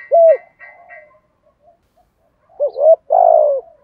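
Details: Lure spotted dove with giọng thổ thúc gù song: one clear bent coo and faint murmurs, a pause, then a quick double note, a rounded coo and a long throaty rolling coo falling away.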